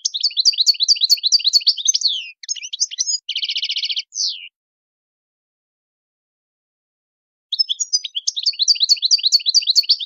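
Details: European goldfinch singing chon khalawi, the wild song type: quick repeated twittering, a buzzy rattle and a slur, a silence of about three seconds, then the twittering starts again.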